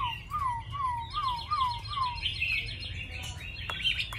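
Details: Tame caged Chinese hwamei, noted for its good voice and eager singing: five down-slurred whistles about every 0.4 seconds, followed by higher, faster warbled phrases over a low hum.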